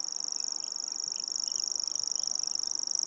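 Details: Common grasshopper warbler of the nominate subspecies singing in Anderlecht, Belgium, in April: a continuous high, dry insect-like reeling trill of rapid even pulses, with faint other bird notes beneath.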